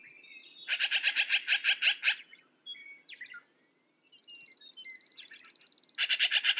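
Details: Black-billed magpie giving two bursts of harsh, rasping chatter, about seven rapid broad notes per second, with a fainter thin, buzzy tone and short chirps from other birds between the bursts.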